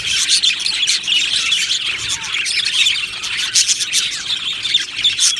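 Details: Happy budgerigars chirping in a colony aviary: bright, rapid, overlapping tweets and squeaks from many birds, forming an unbroken cheerful chatter.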